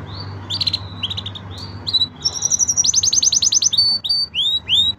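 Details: Five canaries singing a training song: fast rolling trills and rapid repeated chirps, high and bright, with quick rising sweeps and short bursts of whistled notes; a faint low hum underneath.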